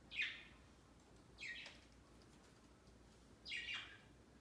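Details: Indoor budgerigars celebrating their first Christmas on a big tree beside the birdcage; three harsh, buzzy chirps roughly every one and a half seconds, each sliding downward, with low room noise between.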